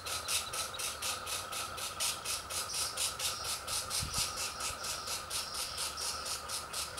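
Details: Three young Pileated Woodpecker chicks at the nest, with parents coming in to feed them, give a hissing, raspy begging chorus in rapid pulses, several per second, over a steady high hum.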